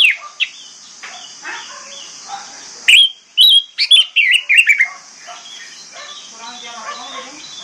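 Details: Used to spur silent birds into song, an orange-headed thrush gives soft scattered notes, then a loud, rapid cluster of slurred, descending whistles, and fades into quiet twittering against a steady high-pitched hiss.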